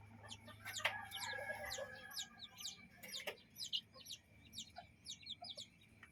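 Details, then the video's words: Chickens and chicks in a yard and coop. A few short hen clucks at the start lead into dense, high, downslurred chick peeps that repeat irregularly throughout. "Ayam beserta anak ayam lucu bermain di pekarangan dan kandang ayam"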